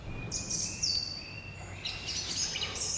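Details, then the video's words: Song thrush singing in a forest on 16 June 2020: thin, high whistled notes and a steady tone, then a burst of bright, chirpy phrases near the end. "Drozd Śpiewak - Jego piękny śpiew rozbrzmiewa w całym lasie."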